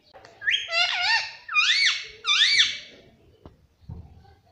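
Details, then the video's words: Chatty pet parrot gives three swooping, strongly arched whistled phrases in a row, each rising then dropping. Light taps and room noise follow. "मम्मी पापा बोलता बातूनी तोता || parrot sweet voice"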